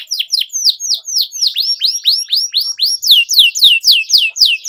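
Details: Loud canary 'cuit cuit' song used as a lure for tutoring young canaries: steady run of sharp downslurred chirps, roughly four per second, growing stronger toward the end.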